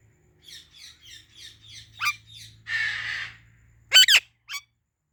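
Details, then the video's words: Ringneck parrot uttering a run of six quick, high chirps, then a harsh, buzzy rasping squawk lasting under a second, followed by a double piercing screech and one last short shriek, over a low steady hum. "Talking Ringneck Parrot Natural Sounds | Parrot Chirping Sounds"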